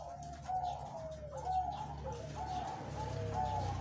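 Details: Zebra doves (perkutut) of various ages, about half a year or younger, at a breeding farm with clean cages on 3 July 2019 give soft, mellow cooing notes around once a second, with short sliding phrases, over a low background hum.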